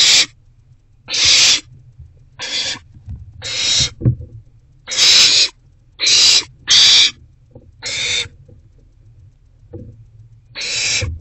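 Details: Owls at a nest box during evening rodent deliveries on 29 March 2024 give irregular harsh hissing screeches, some doubled, with soft scuffling and shuffling sounds between them.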